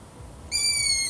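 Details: Long-eared owl giving a single high, drawn-out whistled squeal that begins halfway through, holding steady and sliding slightly downward, with faint background hiss.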